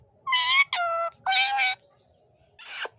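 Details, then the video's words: Pet talking parrot saying "mammy": four short, loud, harmonic, voice-like syllables. The first three are nasal and fairly level; the last is a brief, higher, falling squawk. "talking parrot"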